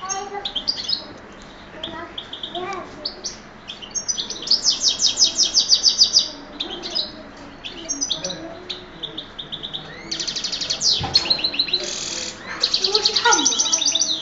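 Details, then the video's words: Pet goldfinch x canary hybrid from Oued Souf in full song, loud rapid rolling trills and buzzy repeated high notes delivered in long bursts, with sharp chirps between phrases and brief pauses. "chardonneret x canario"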